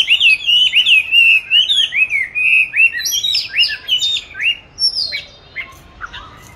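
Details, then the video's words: Song-training session of a caged oriental magpie-robin raised from 29 July 2020, recorded 22 March 2021: a rich stream of fluty, slurred whistles and chirps that breaks into shorter notes and fades toward the end. "Tổng hợp các clip về con than chuyền nuôi 29-7-2020(clip quay 22-3-2021) treo chỗ lý tưởng luyện hót"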